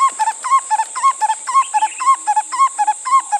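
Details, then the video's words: Black-collared Barbet pair duetting: male calls while the female responds in the well-known 'two puddly' duet, a rapid rhythmic alternation of ringing, bubbling double notes repeated about twice per second, with a steady high hiss behind. "it starts out however with a couple of scratchy sounds before they go into the famously described two padley call as heard here [Laughter] oh [Laughter] the"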